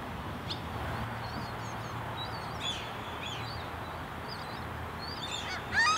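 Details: Juvenile common gulls (Larus canus) begging from and being fed by a parent, Kristiansand, summer 2015: thin, high, wavering peeps, rising to a louder burst of squealing calls at the end, over a low steady hum.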